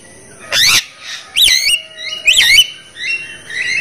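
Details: Javan myna calls in a lure recording meant to prompt caged mynas that are sluggish and reluctant to call: harsh rasping bursts alternate with bright, rising and falling whistled notes, several in four seconds.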